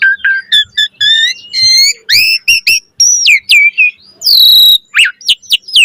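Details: Full-variety gacor mompa song of an Asian pied starling, used as a master for training: repeated paired whistles, looping slurs and a loud harsh burst near the end.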